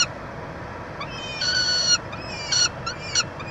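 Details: Peregrine falcon nestbox, University of Montreal, Quebec, 22 June 2023, feeding of the chick: a long, even, shrill note followed by several shorter sharp calls against low steady background noise.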